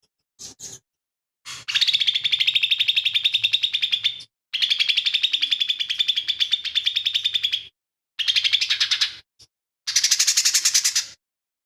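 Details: Lesser green leafbird, an active singer whose song reportedly carries imitations of fighting sparrow, tengkek buto and cililin. Long, rapid trills of bright, buzzy repeated notes run in several sustained bursts with brief pauses, after two short opening chirps.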